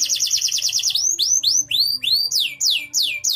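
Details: Canary singing strongly, prized for contest performance and as a song model for other birds; a quick rolling trill followed by a steady series of loud swept whistles, each about a third of a second apart.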